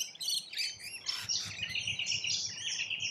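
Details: Several rainbow lorikeets feeding in Australia, keeping up a continuous high, scratchy chatter of screeches and squeaks that overlap throughout, with no pause between callers.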